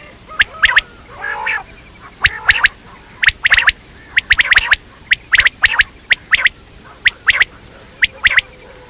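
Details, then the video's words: Quail, known locally as batair, repeating crisp staccato notes in loose clusters of two to four through the recording, with a brief hoarse squawk early on. "Quail sounds batair ki awaz quail sounds"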